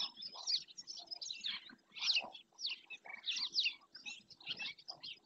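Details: Black-winged stilt at Doñana National Park, caught on a nature camera: loud, high, slightly downslurred yelping notes repeated in uneven bursts, with fainter chattering calls and low background rumble between them.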